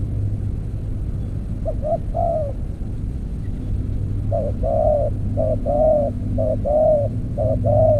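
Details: Spotted dove cooing during decoy trapping with an earthen trap. A short phrase is followed by a pause, then a rapid run of two-note-plus-long-coo phrases in quick succession. A steady low engine-like hum runs throughout.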